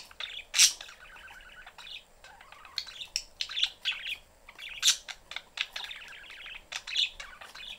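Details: Family of pet parakeets in their cage, door open: lively chirping with bursts of harsh buzzy warbling, several sharp squeaky peaks standing out, the chatter nearly unbroken across the clip.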